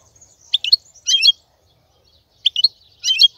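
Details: Song of a male European goldfinch, played to teach chicks. Two short phrases of squeaky, jumbled chirps are separated by a pause of over a second. A thin high tone trails through the start.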